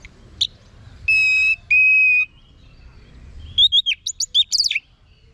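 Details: An orange-headed thrush sings two long, steady, clear whistles, then a quick burst of about eight bright chirping notes, some falling, over faint hum; a tutor and lure recording to make other orange-headed thrushes answer.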